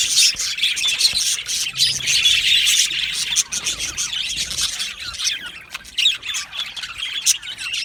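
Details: Aviary colony of budgerigars giving a busy, unbroken stream of rapid chirps, twitters and short squawks from many birds, loudest in the first half, then slightly thinner.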